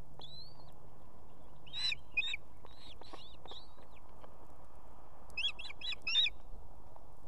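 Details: On an Estonian nest holding two chicks, a female osprey summons the male to bring food on an evening. Two sharp notes come early, then a quick run of four or five piercing yelps. Faint whistled slurs and low rumble sit in the background.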